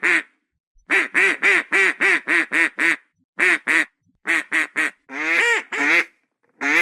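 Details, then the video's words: Duck giving a rapid run of about seven harsh quacks, then shorter groups, ending with a few longer, drawn-out, raspier quacks; no other sounds. "SOM DE PATO"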